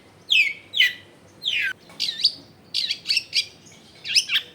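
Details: Long-tailed shrike recorded at home in a densely populated neighbourhood, used to prompt silent shrikes to answer; loud, harsh downslurred notes at a slow pace, followed by rapid scratchy twitters.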